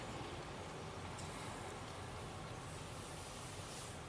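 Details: Steady vehicle rumble and hissing air-brake noise with no animal sounds.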